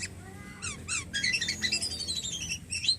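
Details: Javan pied starling, a captive bird kept for song, delivering a varied burst of high chattering notes, sharp downslurred chips and rising whistles with buzzy, harsh elements, after a brief quiet opening.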